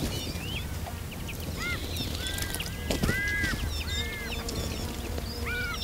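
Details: Iberian magpies, a group bathing in a fountain, give short arched calls that rise and fall, several in close succession from different birds, over a steady wash of splashing water.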